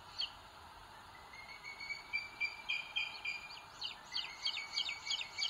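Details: From a live nest camera of booted eagle chicks in Spain's Sierra de Guadarrama National Park, 2022, as one chick pecks the small one; a level thin tone builds into quick repeated high peeps toward the end.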